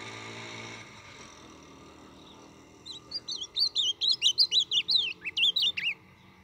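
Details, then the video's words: Blue-black grosbeak from Brazil's Northeast, a young bird, singing for training and warming up: after three quiet seconds, a fast run of clear whistled notes, each swooping up and down, about a dozen in three seconds. "BELO CANTO DO AZULÃO DO NORDESTE"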